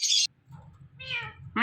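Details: Talking ringneck parrot making sounds indoors: a harsh, high screech opens, followed by a drawn-out, wavering meow-like harmonic call and the start of another, with low room hum beneath.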